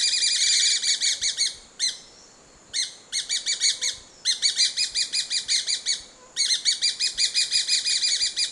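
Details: Grey-breasted parakeet (Pyrrhura griseipectus) chattering in quick bursts of sharp, high, repeated notes, broken by brief pauses, each run rattling along at a rapid steady pace with faint background hiss.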